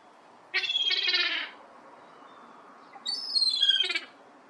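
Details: Juvenile herring gulls, siblings recently out of the nest and playing with a dog's toy; two rough, whining calls about a second long, separated by two seconds, over a low background hiss.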